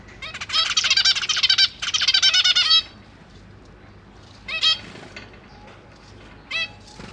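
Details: Zebra finch young, three juveniles and three newly fledged babies, being fed by their parents in a large cage: two long rapid runs of harsh repeated nasal calls, followed by two isolated calls after silence.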